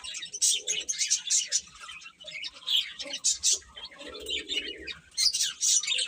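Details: Several young chicks giving thin, high cheeps in uneven bursts, some louder peeps standing out, with brief quieter gaps and faint low murmuring.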